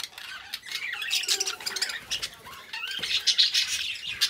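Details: Two caged budgies warble softly at first, then louder: tumbling squeaky chirps, buzzy notes and a low hum-like tone in the middle.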